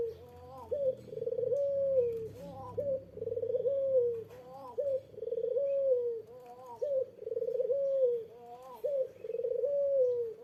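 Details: Puter dove calling to get a rival to reply: repeated low phrases about every two seconds, each a quick rising note, a vibrating roll and a falling drawn-out coo, over a faint low hum and scattered clicks.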